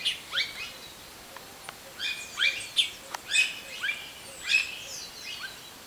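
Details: Chachalacas calling at dawn at Nevado del Huila: a harsh, scratchy chorus of raucous notes in quick bursts about every half second, with faint outdoor background noise.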